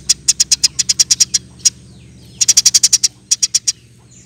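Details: Eurasian tree sparrow, a recording for teaching cage birds: an even series of sharp high chirps, a pause, then a faster cluster of chirps and a final short group.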